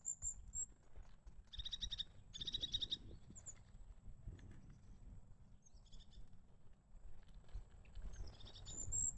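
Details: Crested tit calling in winter: short buzzy, harmonic-rich rattling phrases in two close bursts, then a brief one and a final one after pauses, with thin high notes between and a steady low rumble of background noise.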